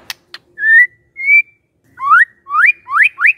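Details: Magpie-robin song played as a lure to make a silent bird answer: two dry clicks, then clear whistled notes, the later ones sweeping sharply upward and repeated in quick succession.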